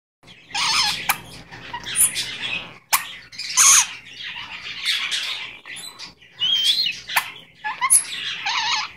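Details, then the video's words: Pet Goldie's lorikeet, said to be talking and saying "give me a kiss": a run of raspy, chattering bursts with high squeaky notes, the phrases coming in short groups about every second or two across the clip. "Talking Goldies Lorikeet | Dazzle Says "Give me a kiss""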